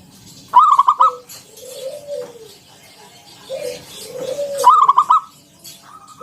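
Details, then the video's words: Local zebra dove singing 'ngalun kung bulat' as a lure for other doves: two loud rattling bursts of quick coos about four seconds apart, separated by soft downward-curving coos from other birds. "Suara NGALUN Kung Bulat - Perkutut lokal gacor Pancingan"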